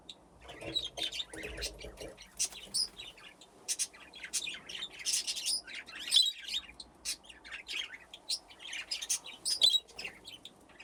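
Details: Several budgerigars in an aviary with nesting boxes play and chatter in a dense, continuous run of quick high chirps and squeaky warbles. Louder peaks jut out every few seconds.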